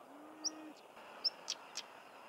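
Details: A stonechat in Cornwall, England, gives two thin, high whistled notes, then two dry clicking tack notes, all within about two seconds; a faint low hum runs briefly at the start.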